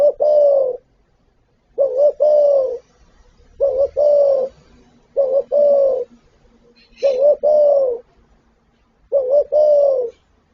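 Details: Repeated spotted dove cooing from a full repertoire of calling and urging songs: six deep phrases spaced roughly every 1.7 seconds, each a quick double note then a long soft coo.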